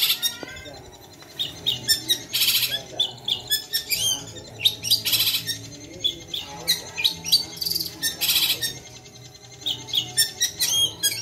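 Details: Long-tailed shrike singing steadily from one spot: a fast, varied run of high chirps, trills and squeaky notes in dense bursts, with loud broadband scratchy bursts near two and eight seconds.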